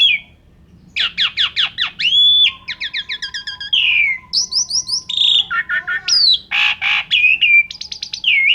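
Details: Vigorous Asian pied starling song in full filler style, meant to lure other birds into singing. A varied, rich sequence of rapid descending sweeps, a drawn-out whistle, harsh buzzy bursts and clear slurred notes, delivered nearly without pause.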